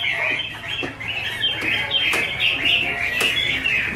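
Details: Chinese hwamei pair, a female in 'te' style with a male behind: dense, continuous chattering and warbling in a mid-high band, with scattered clicks and quick overlapping notes throughout.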